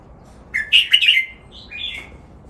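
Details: Caged red-whiskered bulbul singing in the playful "len rik" style used for song training; a quick burst of bright, warbling chirps, then a softer, slurred two-part whistle after a short pause.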